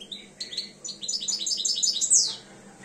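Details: A European goldfinch aged two, starting to come into breeding condition, delivers a rapid, rising twittering phrase of bright high notes ending in a sharp, loud downslurred note.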